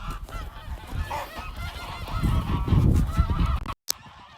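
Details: Several domestic geese on a farm make a ruckus during their breeding season, honking loudly and repeatedly, about two calls a second, in harsh nasal bursts over heavy low wind rumble and handling noise.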